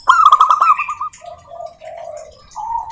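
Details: A local zebra dove sings as a prompt for other doves: a loud rapid trilled coo, then lower soft drawn-out cooing notes, and a final mid-pitched rolling coo.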